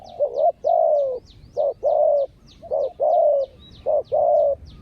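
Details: Spotted dove decoy calling to wild birds with close, loud phrases: short notes then long level coos, repeated about every 1.2 seconds, with thin high chirps from small birds throughout.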